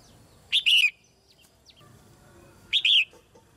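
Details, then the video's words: Caged female red-whiskered bulbul sings to stimulate young birds to sing; two loud, rich whistled phrases about two seconds apart, each a quick chirp followed by a slurred falling warble, with faint background sounds. "นกหัวจุก-birds - Ep.57 - นกตัวเมียร้องเพลงในกรงเพื่อกระตุ้นให้นกที่โตใหม่ร้องเพลงมากขึ้น"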